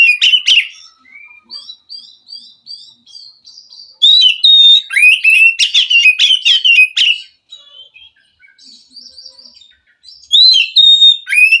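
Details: Forest white-rumped shama, used to stimulate a caged bird reluctant to sing: short loud chatter, soft repeated whistled notes, a bright run of rapid whistles, quieter twittering, then a rising whistle.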